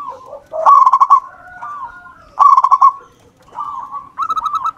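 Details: Local wild zebra dove singing eagerly, a recording meant to draw out other birds: two loud bursts of rapid rattling coos, softer drawn-out coos between them, and a final rising trilled phrase.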